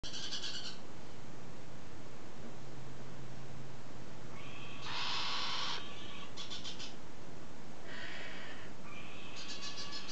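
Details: Galah giving harsh, broadband screeches in short bursts, about a second each, spaced irregularly across ten seconds, over a steady low hum.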